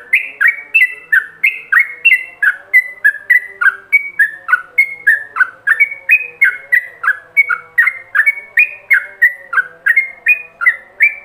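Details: Ropelan song of a yellow-vented bulbul, recorded as a master lure for other bulbuls to imitate: a nonstop run of rapid, short, bubbly whistles that jump up and down, about three notes each second, with a faint low hum behind.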